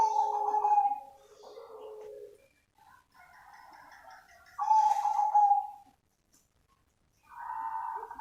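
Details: Zebra dove (perkutut cemani) giving soft, mellow cooing phrases near one pitch, each about a second long with brief pauses, close and slightly roomy; an original live recording, not an MP3.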